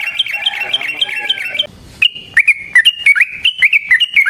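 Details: Sooty-headed bulbul in an agitated fighting song used as a trapping lure: a run of quick, wavering notes, a short break, then sharper chattering notes in rapid succession.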